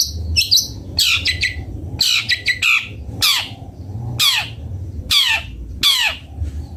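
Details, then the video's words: Long-tailed shrike (cendet bondol) song: harsh chattering phrases, then a series of loud descending whistled sweeps roughly every second, over low background hum. "Suara merdu burung cendet bondol"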